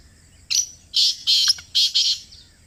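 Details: Black francolin heard up close giving a grating series of five harsh, buzzy notes, roughly evenly spaced over about two seconds, with the last two notes run close together.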